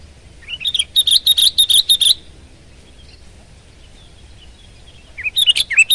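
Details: A persistently singing sooty-headed bulbul (kutilang) gives a rising note, then a fast run of sharp chirps for about a second, a pause, and another rising burst of chirps at the end.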